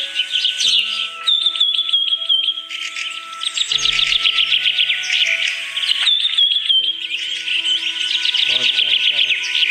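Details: Birds singing: long wavering whistled trills alternating with rapid high chirps and twittering, over a soft bed of sustained music tones.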